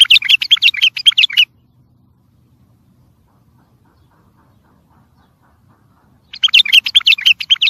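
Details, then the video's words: Bright chattering bulbul song, recorded to train and stimulate other birds: a busy run of rapid warbled notes, a long pause of about five seconds, then another similar energetic burst. "سمع بلابلك طياريات سيحان روعه صوت ماينوصف للتخريج وتحفيز"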